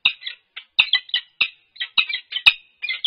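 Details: Peregrine falcons at their UC Berkeley nest on a livestream, 3-4-22, calling during head bowing and nest scrape courtship: harsh, chirping chup notes in quick irregular bursts, some doubled, with brief silent gaps between them.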